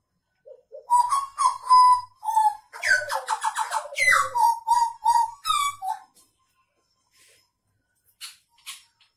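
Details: Kept hooded butcherbird of the blorok variety singing, 2019 recording: a string of fluty whistles rising into a dense, rapid warble lasting about two seconds, followed by softer, sparse notes and near silence.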